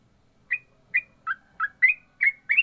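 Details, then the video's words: Trucukan, or yellow-vented bulbul, in ropel-style song: single rich chirped notes, some rising, others dipping, delivered roughly every third of a second after a short silence, faint low hum behind. "burung trucukan ropel mantap"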